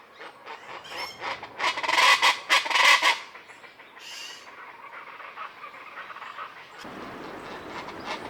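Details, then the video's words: Common chachalaca calling in the morning from trees above a palapa in Sierra Madre jungle along Banderas Bay: a burst of loud, harsh, raucous notes for three seconds, then fading into quieter scratchy background calls. "Meet the Common Chachalaca (Loudest Bird on the Mountain?)"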